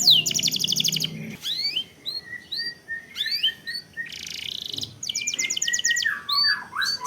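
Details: Canary lure song in long-roll style: an opening high rapid trill, then scattered chirps and rising whistles, a short buzz, and a closing run of rolled trills and slurs.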